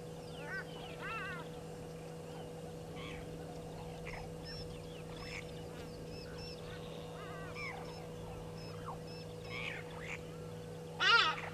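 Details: Burchell's starlings, two of them fighting, at Gowrie dam waterhole on Djuma Game Reserve, Sabi Sand, South Africa, 16:39 on 20 October 2022: scattered bursts of harsh, stacked chattering notes, a louder burst near the end, over a steady electrical hum.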